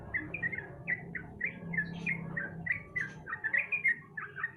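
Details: Sooty-headed bulbul, as a lure to make a silent bird call: brisk, continuous string of short bubbly chirps, several per second, slightly uneven in rhythm, over a steady low hum.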